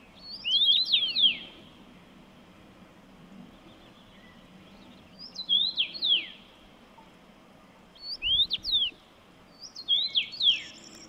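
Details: Common rosefinch recorded with a Fujifilm X-T3 camera, singing four short whistled phrases of clear, slurred notes that rise and fall, spaced a few seconds apart over a soft, steady background hiss.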